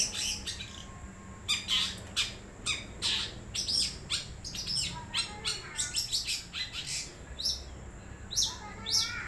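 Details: Wild long-tailed shrike singing loudly, a chattering medley of harsh buzzy notes, high squeaks and rapid trills delivered in short pulses roughly every half second, with faint low background noise.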